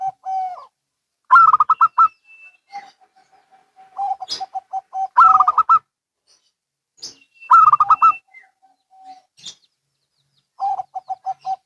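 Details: Local and Bangkok zebra doves calling back and forth, trading rapid, stuttering coos, each burst a quick run of soft staccato notes followed by lower drawn-out tones, phrases alternating.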